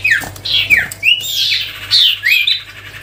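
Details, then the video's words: Sirtu (cipow) songbird singing actively with melodious whistling: a quick series of clear slurred whistles, some falling and some rising, with short buzzy notes between them, separated by brief pauses. A low steady hum runs beneath. "siulan merdu burung sirtu cipow gacor"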